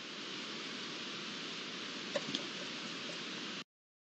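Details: Steady broadband rushing noise like flowing water fills the recording, with a couple of faint brief ticks near the middle, then it cuts to silence.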